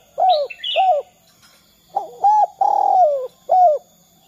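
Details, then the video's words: Spotted dove giving the 'kuk 2' call meant to coax other doves into calling. Two arched coos, a short pause, then a quick burst of notes, a long falling coo and a final arched note. High thin chirps from another bird sound early on. "Suara Derkuku kuk 2"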